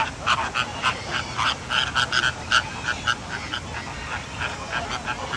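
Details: American flamingos (Phoenicopterus ruber) give a busy chatter of short, nasal, honking calls, several each second, overlapping like a flock in conversation; a person briefly laughs.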